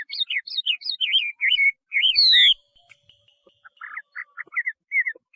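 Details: Chinese hwamei pouring out a fast series of bouncy, looping whistles, then a long, loud, descending slurred note, followed by softer, scattered chirps and short whistles.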